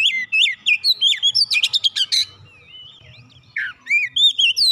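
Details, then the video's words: Oriental magpie-robin song, used to coax a silent bird into singing: rich varied phrases of clear whistled slurs and rising notes mixed with harsh rapid chattering bursts, several bouts with short pauses between. "kicauan indah memancing suara Kacer macet bunyi langsung gacor"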